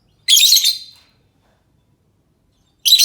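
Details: Lovebird call used as a lure so other lovebirds answer: a harsh, noisy screech lasting about half a second, then silence, then another screech beginning.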